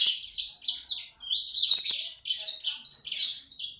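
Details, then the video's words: High, energetic twittering from a small kept bird, described as singing busily: rapid chattering chirps mixed with brief whistled slurs, in near-continuous bursts with short gaps, loud and clear against a silent background. "Burung sanger ku ( sikecil gacor )"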